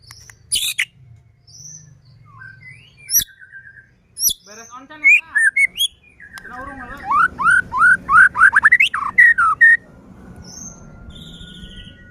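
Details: Lively white-rumped shama song played to provoke other shamas into singing: scattered high whistles and clicks, then a fast run of rising, slurred notes repeated many times, ending with a few thin high whistles.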